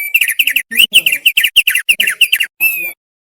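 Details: Thick-billed white-eye tutor song: quick series of sharp, bright chipping notes in short bursts of two or three, roughly three bursts a second, closing with one longer steady whistle.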